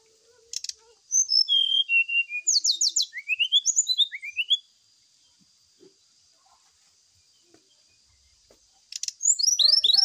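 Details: Brown-chested jungle flycatcher lure song for morning dew-airing: a bright phrase of falling whistles and a fast run of rising, buzzy slurs, then several seconds of quiet hiss before another burst of high notes begins.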